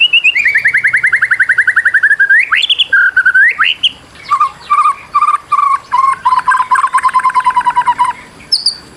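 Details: White-rumped shama (murai batu) song for training reluctant singers: a long descending series of rapid trilled notes, a rising flourish, then fast, even, buzzy repeated notes for several seconds.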